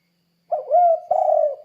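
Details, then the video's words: Spotted dove, a lively calling bird, used as a lure to get derkuku doves calling sooner: two low, mellow coos, the first wavering, the second longer and steady, in clean silence. "Suara Burung Tekukur Gacor Kuk 2 Untuk Pancingan Derkuku Biar Cepat Bunyi"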